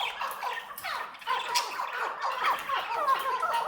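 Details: Pure Maskati chakor, a chukar partridge, giving harsh clucking chuk notes in rapid, irregular series that overlap and build, with a steady background hiss.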